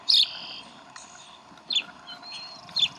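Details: Bald eagles at the Decorah nest on 11 April 2012, with the chicks being fed brunch. Three sharp, high chirps come about a second apart, each one brief and piercing, between quiet stretches of faint background hiss.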